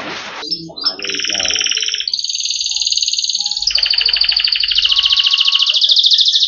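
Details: Yellow canary delivering long, sustained rolling trills at shifting pitches, each buzzy and continuous for about a second or more, with a faint low hum underneath.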